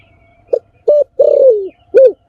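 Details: Spotted dove giving one phrase: a soft lead-in note, a short coo, a long burry descending coo and a short final coo, over a faint low hum.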